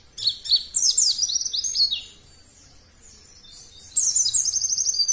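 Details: Lure song of a white-eye for rousing other birds: an opening tumble of shrill slurred twitters, a quiet gap of about two seconds, then a fast high trill-laden phrase.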